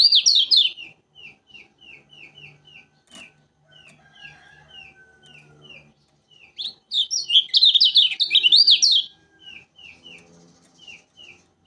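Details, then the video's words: Lemon-bellied White-eye from Lombok singing tirelessly as a lure: a burst of rich warbling, then repeated short falling chip notes, another loud tumbling warble in the middle, and more chips to finish. "Burung Kecial Kuning Lombok Rajin Bunyi"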